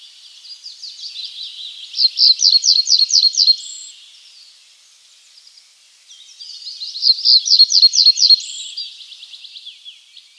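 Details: Common reed bunting song, given twice: soft buzzy lead-in notes, then a quick series of about six sharp repeated chips and a short high ending, with a hissy background.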